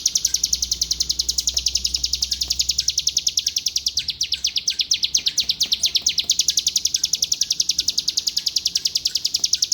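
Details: Bar-winged prinia from Palembang, owned by a songbird contest judge, delivering an unbroken, very fast run of high, sharp chips repeated several times a second throughout. A low hum sounds in the background at the start.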